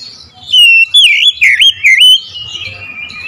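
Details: Oriental magpie-robin delivering a strong lure phrase of four loud whistled notes in a row. Each note bends and dips like a wavy swoop. Soft thin warbling trails off afterwards.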